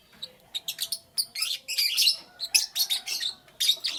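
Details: Lively lovebird chirping in the morning: rapid runs of bright, high, shrill chirps bunched into quick bursts, almost nonstop, with brief gaps between volleys.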